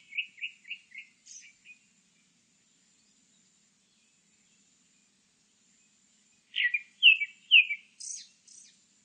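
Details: Grey-backed thrush song in two bursts split by silence: first a quick run of short, even whistled notes, then louder rising-and-falling whistles ending in high, thin squeaky notes.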